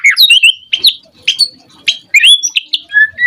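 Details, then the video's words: White-rumped shama song meant to provoke other shamas: short, sharp high whistles and slurred chirps in separate bursts, ending with a longer, steady whistled note. "Suara Murai Batu Gacor Auto RESPON seketika NYAUT Burung Murai cepat Bunyi buat Pancingan agar Gacor"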